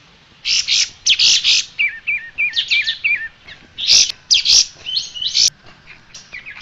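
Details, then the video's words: Striated grassbird tutor song for cage-bird training: strong chirping bursts mixed with rapid zigzag whistled notes and thin high slurs. "Ocehan Burung Kapas Tembak"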